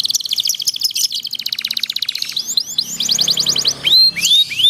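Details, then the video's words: Canary song used as a master for young canaries learning, for long rolling delivery: a long rapid trill, then quicker repeated chips and several loud rising whistled slurs. "kenari paud belajar bunyi jadi cepet gacor ngerol panjang durasi panjang dengan masteran ini"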